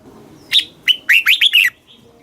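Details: Red-whiskered bulbul singing a southern master-style phrase used to stimulate caged birds and tutor chicks: a brief burst of five clear, slurred whistled notes, each dipping then rising, delivered rapidly over about one second.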